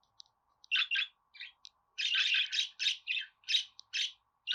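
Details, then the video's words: Budgerigar chatter played to encourage pet budgies to sing and talk: bursts of harsh, buzzy warbling notes in quick irregular clusters with brief pauses, a steady faint low hum underneath. "Muhabbet Kuşu Sesi"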